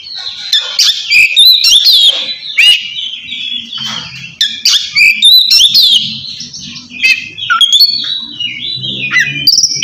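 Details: Oriental magpie-robin in ngeplong song calling a rival, meant to prompt silent birds to sing; dense loud whistles, buzzy notes and quick sliding phrases, steady throughout with faint low hum beneath.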